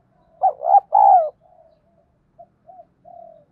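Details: Spotted dove song used as a fighting lure: two quick loud low coos and a longer falling one, then a string of faint, short soft coos spaced out afterwards.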